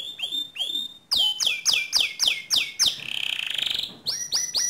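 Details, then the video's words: Pure white canary in active song: two drawn-out whistled notes, then a run of loud repeated down-sweeping chirps, a short buzzy trill, and more quick chirps. "Suara Kicau Burung Kenari Putih Bersih Gacor Dor"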